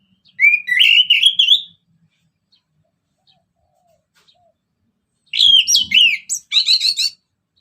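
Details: Orange-headed thrush singing ngeplong-style to stir other birds: a rising, rolling whistled phrase, a long silence, then a burst of varied slurs and rapid buzzy, stuttering notes.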